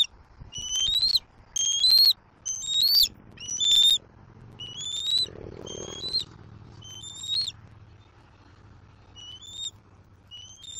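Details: On a Southwest Florida nest in April 2024, a juvenile bald eagle begs to be fed by its father after taking his fish: about ten high, rising whistled squeals, loud at first then softer, near one per second, with faint rustling.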